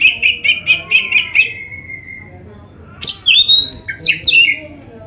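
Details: Oriental magpie-robin training song with rich fills: a row of six quick repeated chirps ending in a long level whistle, a short silence, then a sharp note and gliding whistles that bend up and down.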